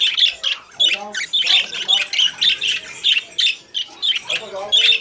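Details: Budgerigars singing in a cage, a continuous chatter of squawky, warbling notes with rapid harsh chirps repeated without pause, several birds overlapping in a small room.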